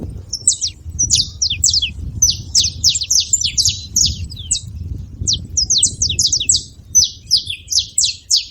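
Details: Group of saffron finches making noise: dense runs of bright, high, clipped chirps and downslurred notes, repeated in uneven bursts almost continuously, over a soft low-frequency hum.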